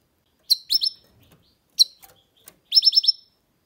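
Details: A goldfinch mule (hybrid) sings bright, tinkling chirps in quick bursts of two to four high twittering notes, with short pauses between phrases.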